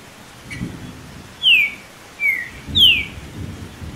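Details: Green-winged saltator singing against a background of rain, the recording used to warm up birds before tournaments: three loud whistled notes sliding downward, spaced under a second apart, over a steady rain hiss with faint low rumbles.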